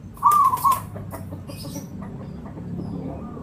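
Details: Zebra dove of local Javanese stock, singing as a lure: a single brief rolling coo early on, then quiet low background noise and a few faint clicks.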